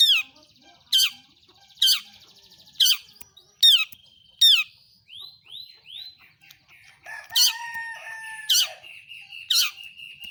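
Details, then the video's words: Long-tailed shrike lure call for stirring other shrikes into song: harsh downslurred notes repeated about once a second, a few soft rising whistles in the middle, then a steady whistled tone under more harsh calls. "pentet PASTOL gacor || toet toet sambung materi || pancingan burung cendet paling ampuh"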